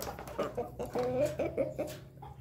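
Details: Rooster crow in the afternoon, in a recording featuring ketawa (laughing) roosters alongside pelung and bangkok roosters: a staccato series of short rising-falling harmonic notes like laughter, with music in the background.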